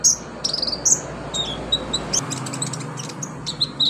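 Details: Olive-backed sunbird (konin) in a singing-therapy recording: a varied jumble of high squeaky chirps and short trills, some notes falling in pitch, over faint low hum.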